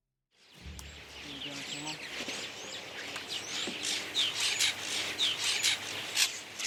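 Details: Several Purple Martins in Pennsylvania chatter together in a busy stream of gurgling chirps and short rising whistles, with a low murmur underneath at the start.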